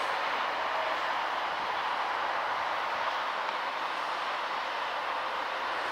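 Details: Steady, loud broadband rushing like a passing train fills the whole recording, with no animal calls heard.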